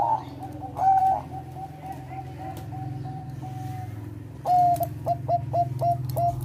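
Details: Song of a Bangkok-type zebra dove, played to bring other doves into breeding condition: a bright whistle, then a long even chain of soft coos, followed by a burst of sharp separated clipped notes.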